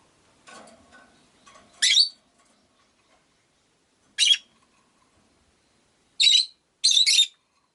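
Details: Rosy-faced lovebirds, five in a cage near a window, give scattered loud, rasping high chirps in short bursts, with softer chatter early on amid faint town noise.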